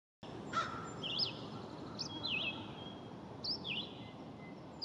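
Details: Red-eyed Vireo singing in W. Lawrencetown, Nova Scotia, on June 4, 2020: short, slurred whistled phrases, alternately rising and falling, about a second apart, over steady background hiss.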